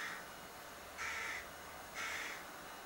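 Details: Harsh begging cries of a young crow in a cherry tree outside a window, three drawn-out nasal calls about one second apart, the first cut off at the start.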